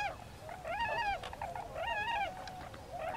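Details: Tundra swans at Lake Mattamuskeet on 13 January 2013 give mellow, wavering, high-pitched hooting calls about once a second, with several birds overlapping against a soft background hiss.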